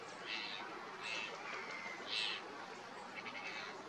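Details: Common chiffchaff singing at Vuelta Ostrera: short, bright, high notes repeated about once a second, a louder note near the middle, over a steady hiss of background noise.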